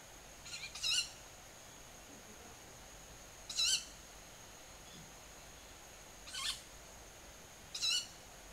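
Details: Young Ural owl, one of about five moving tens of metres above ground, calling at about 19:40 on 20 July in early summer from a home garden, giving short, harsh, hissing screeches, four in about nine seconds, over a thin high whine.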